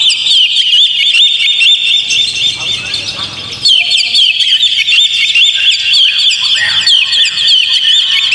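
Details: Lure recording of an Oriental magpie-robin to get a caged one singing: busy warbled chatter, dipping quieter for a moment, then returning loud with twisting whistles.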